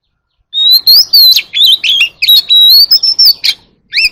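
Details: White-rumped shama singing in the wild-forest style, calling the flock: loud, rich high whistles and quick varied trills, rising and falling notes mixed with sharp chips, delivered in a rapid unbroken burst.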